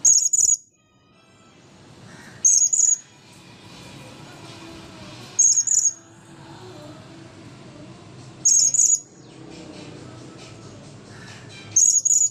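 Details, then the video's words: After its bath has dried, a blue-crowned hanging parrot repeats piercing high-pitched squeaks in short clustered bursts roughly every three seconds, five bursts in all, against faint low background rumble. "burung serindit jiwa kacau depan camera"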